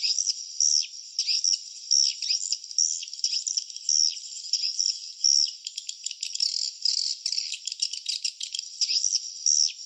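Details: Swiftlets at their nest give sharp, high chirps in short twittering bursts about once a second, growing into a denser, rattling chatter in the second half.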